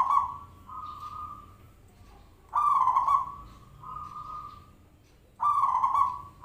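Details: Zebra dove call used as a lure to make other zebra doves answer: drawn-out mid-pitched cooing notes, some starting with a louder, rough rolling burst, repeated in phrases about every three seconds.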